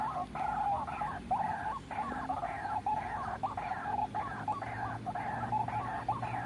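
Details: White-breasted waterhen lure call for trapping birds: a run of hoarse, croaking ruak-ruak notes in quick succession, each rising at the end, with faint low hum beneath.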